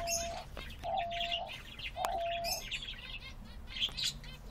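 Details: Pet male diamond dove performing his mating dance to his mate gives three soft, level, mid-pitched coos, each about half a second long, over busy high chirping from other small birds.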